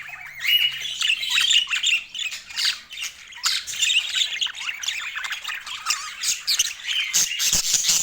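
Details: Busy budgerigar chatter: rapid squeaky warbles and scratchy chirps run almost without a break, with a faint low hum at the start.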